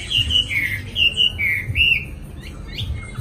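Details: Newly acquired caged Chinese hwamei in song: loud, clear whistled notes in a descending series of slurred phrases, each about a third of a second, followed by quieter rising notes; low hum underneath.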